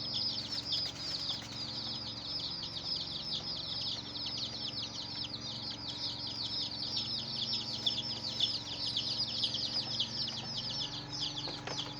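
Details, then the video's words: Chicks of a domestic hen chirping continuously for twelve seconds, many thin downslurred peeps overlapping in a dense high chorus, a few clicks near the end, soft low drone beneath. "Hen Murgi Baby "Chicks Chirping" Sound"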